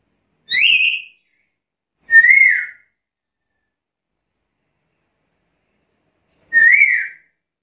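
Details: Black-capped lory giving three clear whistles, the first rising sharply. The others are flatter with a slight upward bend, separated by long pauses.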